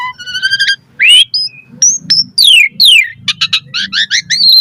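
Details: Asian pied starling (jalak suren) song with steady whistles, downward-sliding slurs and rapid chattering bursts, over a faint low hum in the background.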